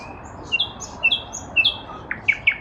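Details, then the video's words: Spring 2023 nightingale song from a lilac bush: clear, drawn-out high whistles repeated about every half second, ending in quick sharp upslurred notes, with quiet low background noise. "Nightingale in a lilac bush"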